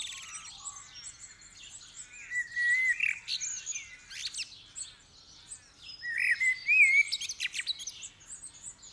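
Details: Before sunrise, with the sky just getting light, a common blackbird pours out rich fluty phrases, two strong bursts separated by a quieter lull, over a busy background of high chirping birds. Recorded December 2019.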